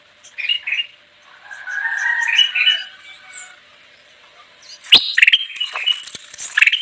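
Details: Ruby-throated bulbul (kutilang emas) song meant for luring wild birds: soft warbled chatter at first, then a loud, dense burst of bright, clipped whistles and trills in the last two seconds.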